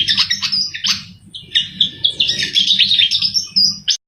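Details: Javan flycatcher (sikatan jawa) singing energetically, used as a lure for bird trapping: a dense, continuous chattering song of high twittering notes and short whistled phrases, with a low steady hum underneath.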